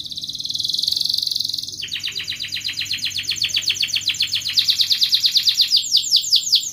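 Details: Canary in continuous rolling ngerol song, used as a lure to get lazy canaries singing. A steady high trill shifts into a long string of quick, pulsed chirps that gradually speed up and rise in pitch.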